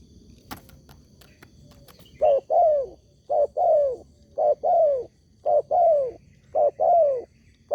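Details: Spotted dove used as a lure so other doves reply: after a few clicks, a run of paired coos, a short note then a long falling one, repeated five times about once a second.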